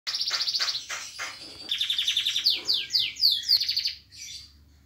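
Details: Caged canary singing while moulting, its feathers ruffled and untidy, yet pushed to perform: rapid trills of repeated bright notes, then descending sweeping phrases and buzzy rolls high in pitch, loud and continuous.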